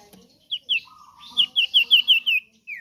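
A common iora gives a quick run of about seven sharp, high, downslurred notes, each roughly a fifth of a second apart, over a faint steady lower tone.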